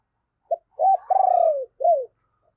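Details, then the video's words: Spotted dove decoy calling wild birds in the morning with a low cooing phrase: a short pip, a rounded hoot, a long tremulous note that slopes downward, and a final arched coo, then quiet. "cu gáy - Chim Cu Mồi Thúc Và Gáy Gọi Bổi, Dùng Kích Bổi Vào Buổi Sáng Rất Hiệu Quả"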